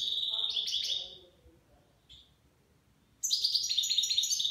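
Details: Nine-month-old goldfinch delivering its Shami-style song, rapid liquid twittering and tinkling trills run together, a short lull, then a dense burst of high chattering notes resuming; quiet low hum underneath.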